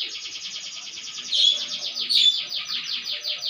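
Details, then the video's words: Canary singing a long, fast, even trill of high rolling notes throughout, with two brief louder bright whistles mid-phrase; otherwise quiet background. "Kenari Gacor"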